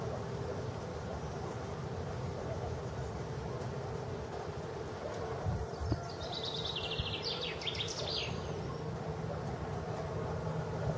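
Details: Chaffinch in Moscow's Tsaritsyno park on 18 April 2015, giving a somewhat distant, fainter song phrase midway: quick repeated high notes sliding down into a short flourish, with a constant low city drone beneath.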